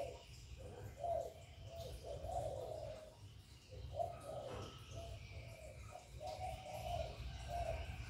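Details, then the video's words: Spotted dove calling and cooing to excite other doves, recorded live; repeated low mellow coo notes in broken phrases over eight seconds, with a constant low rumble in the background. "Cu Gáy Gáy Gọi + Thúc + Gù bài bản kích bổi hiệu quả, Tiếng chim cu gáy, cu đất gáy, cu cườm gáy gù"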